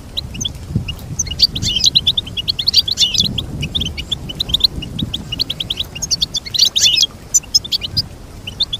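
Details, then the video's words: Goldfinch singing a dense run of bright, rapid twitters and tinkling trills, rising into busier bursts, with faint low background rumble. "Teach your goldfinch to sing beautiful motivational songs"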